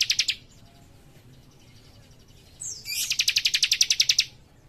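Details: Young leaf warbler delivering tight, fast song: a short burst of ticking pulses, a pause, then a thin high sweeping note running into a longer, dense trill of about fifteen sharp notes.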